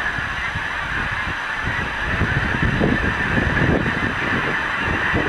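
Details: A large flock of geese coming in to roost over a milo field on a February 2015 evening, a nightly ritual. Dense, overlapping honks pour out continuously with no gaps, over a steady hiss of massed distant calling.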